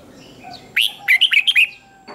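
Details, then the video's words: Red-whiskered bulbul contest song used to coax young birds into singing: a rising slurred note, then a quick run of five bright, warbled whistles over about a second against a soft hum. "Chào Mào Kích Bổi Nhanh Ra Giọng | Kích Chào Mào Hót Đấu. Chào Mào Kích Trống Hót Căng Lửa."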